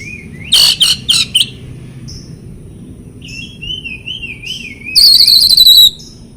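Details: Magpie-robin training song for birds that stopped singing: three harsh chattering bursts, a soft warbling whistle that rises and falls, then a loud high trill.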